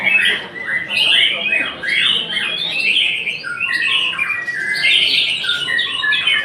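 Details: Rapid, varied white-rumped shama song, with quick whistled and chattering phrases at mid-to-high pitch delivered in short bursts about once a second, some notes sliding downward.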